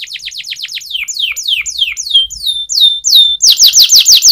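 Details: Training song of a canary: rapid falling whistles giving way to longer drawn-out downward slurs, then a loud burst of fast repeated sweeps.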